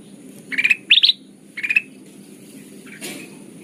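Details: Lure sound of a sooty-headed bulbul, played to attract birds for trapping: three quick clusters of bright rapid chirps in the first two seconds, then a faint click and low background hum.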